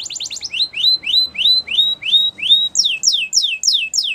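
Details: Russian singer canary training song: rapid rising notes give way to a steady series of clear upslurred whistles about three per second, then shift to higher downward-swooping notes repeated at a similar pace.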